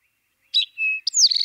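An Eastern towhee sings a short, bright note and a held whistle, then a fast buzzy trill, the familiar 'drink-your-tea' pattern.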